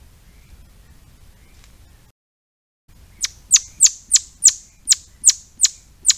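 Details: After about three seconds of faint background and a short silent gap, a Swinhoe's pheasant launches into around ten shrill, steeply falling chips, roughly three each second.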